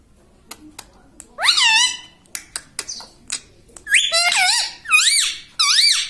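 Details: Talking pet parrot that repeats "mitthu mitthu" and "mummy": sharp clicks, then a loud rising, curling voiced syllable, more clicks and a run of three or four bouncing, harmonic word-like calls near the end.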